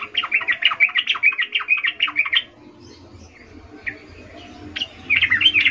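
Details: Female sooty-headed bulbul in breeding condition calling a male, in the chattering ngecuplik style: a fast run of buzzy, bouncing notes for over two seconds, a quiet gap with scattered faint notes, then another burst of rapid chatter.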